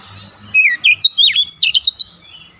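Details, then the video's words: Oriental magpie-robin singing a training song in the fast, dense nembak rapat style meant for young birds: a descending whistle, then a quick burst of about eight sharp, high, twisting notes. "TERAPI KACER BAHAN CEPAT NEMBAK RAPAT"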